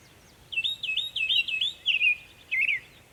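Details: Mimicking Northern mockingbird recorded in Savannah, New York on 23 May 2021: a quick series of repeated looping high chirps, then a louder rasping phrase and a final squeaky burst.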